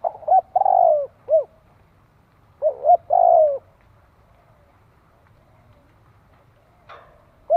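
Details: Spotted dove cooing for decoy training, two and a half phrases of double hoot plus long coo early on, then a quiet stretch with a faint click before a final note begins.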